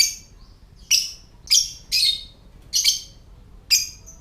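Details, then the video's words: Lovebird ngetik call, a typing-like sound used to trigger other lovebirds into calling and breeding condition: six clipped, shrill chirps spaced under a second apart, one doubled, in near silence. "Lovebird Suara Ngetik"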